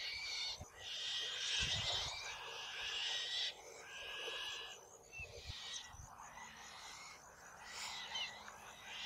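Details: Two young Black-shouldered kites fight over a mouse on a perch tree, the youngest on its fledging day. Long raspy, hissing screeches come in bouts of one to two seconds with short gaps.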